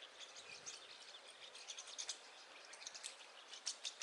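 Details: Rosy starlings, migrants from Europe to India, feeding on banana; a continuous dense chatter of high, scratchy chirps and clicks, many short notes overlapping with no pause.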